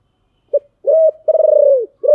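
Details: Spotted dove cooing in the giọng thổ style: a brief low note, a drawn-out coo, a longer throbbing pulsed coo, then the start of another coo, all low and mellow.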